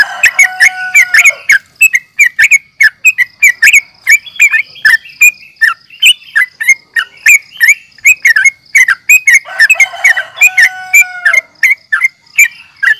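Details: Sooty-headed bulbul (trucukan) in fighting chatter, a lure to provoke rivals: long busy sequence of short chirps and warbles from several birds, with lower drawn-out whistles near the start and around ten seconds.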